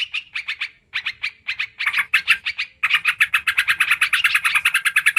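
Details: Sooty-headed bulbul (trucukan karuang) lure sound: quick bubbly chirps in short groups, becoming a dense, unbroken rapid chatter in the second half, with faint low background noise.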